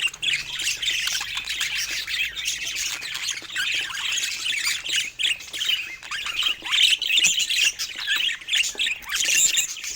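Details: Pet budgerigars playing with toys: energetic, scratchy warbled chatter with repeated squawky chirps and quick upward squeaks, several birds calling at once.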